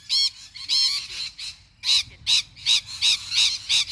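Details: Wild lorikeets in Melbourne suburbs, Australia, screeching: harsh, shrill, buzzy bursts repeated two or three times a second, with a faint low background rumble.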